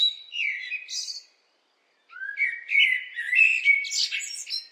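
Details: Blackbird song in two bursts: a short warble ending in a high squeak, a second of silence, then a longer phrase of mellow fluted notes mixed with rapid high twittering.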